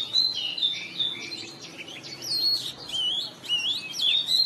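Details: Morning song of an Oriental magpie-robin: fluid whistled phrases that rise and fall, mixed with quick chirps, steady and continuous against a soft background hiss.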